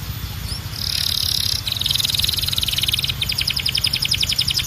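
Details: Singing canary producing a dense buzzing roll that breaks into a rapid, evenly pulsed trill of high notes, over a faint low hum in the background.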